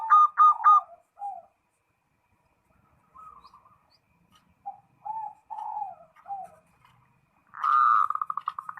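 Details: Zebra dove calling a rival. Rapid rolling coos open the recording. Softer, separate coo notes follow through the middle, and a long bubbling trill of fast coos closes it.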